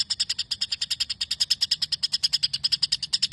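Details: Sparrow-style phrases (isian gereja) sung by a white-rumped shama: quick, evenly spaced high chirps, about three each second, unbroken across the short stretch.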